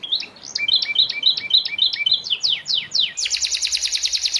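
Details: Moulting young canary song used for tutoring: regularly repeated two-note chirps, then sweeping descending notes, then a sudden fast, even high trill to the end.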